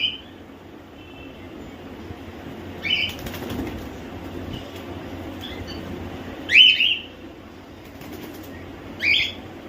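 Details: Captive home-bred cockatiels, young and semi-adult birds, utter three separate shrill, slurred screeches several seconds apart, the middle one loudest and doubled, with a faint background rumble.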